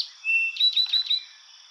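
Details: Eastern Towhee singing its iconic "drink your tea" song: one clear whistled note, then a quick higher trill of about five sharp notes lasting half a second. Trill timing and added or skipped notes vary between nearby song neighborhoods.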